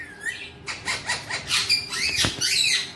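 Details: Alexandrine parakeet kept as a pet, uttering a rapid string of harsh, bright squawks and chattering notes, dense and high-pitched, in a small quiet room.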